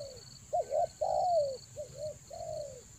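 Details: Rainy-season lure cooing of spotted dove, Toba style: two quick rounded notes, a strong long downward coo, then a quieter echo of the phrase, with a steady high hum throughout.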